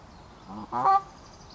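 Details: Canada geese fighting over territory in a forest; a brief softer nasal note followed at once by a louder, harsh honk, both rich and buzzy, then quiet.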